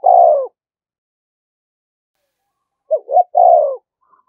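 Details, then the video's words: Spotted dove kept as a decoy, calling to spur fighting: a long falling hoarse coo, a gap, then two short notes and another long descending coo. "Tiếng chim cu gáy mồi thúc đấu rút bổi liên tục, chim cu đất thúc đấu"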